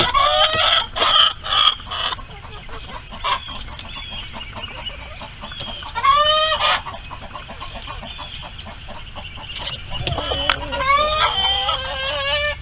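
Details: Hens and roosters in a farm barnyard coop screaming while trying to lay eggs: loud harmonic squawks rising and falling, bursts of rapid clucking between them, several birds calling over one another.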